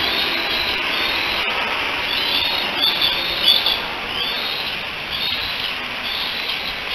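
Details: Bald eaglets, three young together at a nest in Decorah on 16 July 2018, calling, likely for their mother; high thin chirping notes come in loose runs, a brighter cluster around the middle, under constant background hiss.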